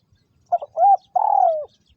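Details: Spotted dove kept as a decoy for trapping in Vietnam, 2022: a single three-part coo, a brief double note, an arched middle note and a longer purring note that slides downward.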